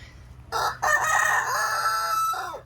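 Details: A rooster, one of about 73 chickens in a 20-by-40 run that crow all the time, gives one drawn-out crow of about two seconds, loud and harsh, with a brief break near the start and a falling end.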